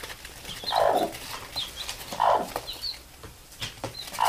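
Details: A mother hen calls her chicks to sleep with soft, throaty calls about every second and a half, with the chicks' thin, high peeps between them.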